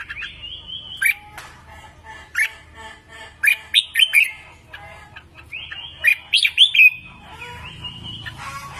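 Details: Red-whiskered bulbul singing, a recording used for voice training: bursts of bright, rapid whistled phrases with sharp upward and downward slurs, separated by short pauses, plus a faint low hum.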